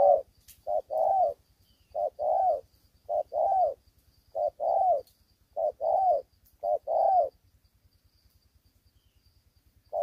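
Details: Young spotted dove whose neck-spot collar is not yet complete, fighting very eagerly. It gives deep, soft coos in pairs, a short note then a longer one. The pairs repeat about once a second, then stop near the end.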